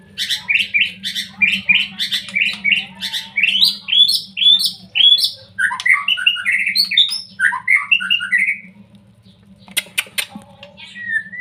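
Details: Lure song of a young white-rumped shama, meant to excite reluctant shamas into singing: a fast, varied run of bright chirps and slurred whistles that tumbles down in a cascade, then a pause and scattered clicks.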